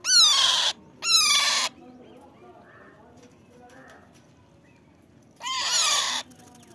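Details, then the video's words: Pet Alexandrine parakeets give three loud, harsh, screeching calls, each under a second, with falling harmonic-rich notes; softer murmurs and faint background noise between them. "My Alexander parrots"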